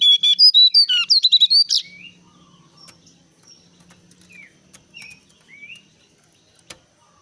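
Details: Brown-cheeked bulbul calling as a lure for other birds: a rapid burst of bright, twisting chattered notes lasting under two seconds, then quiet with a few soft, distant rising chirps.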